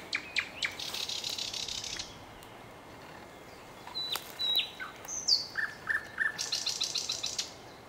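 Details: Nightingale song in short bursts: a couple of sharp notes opening into a dry buzzing trill, a pause, scattered whistles, then quick repeated chirps building into another rattling buzzy trill.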